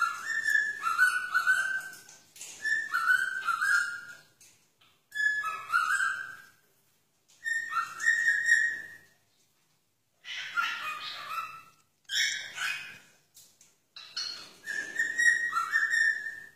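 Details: Pet cockatiel named Elmo in Wagga Wagga whistles clear, fluting phrases that slide between two pitches, repeated with short pauses.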